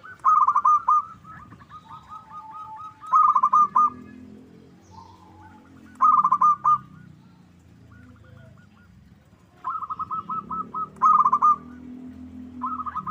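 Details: Zebra dove of the local type singing as a lure to make rivals answer: phrases of rapid, rippling coo notes ending in louder accented notes, repeated about every three seconds with quiet gaps.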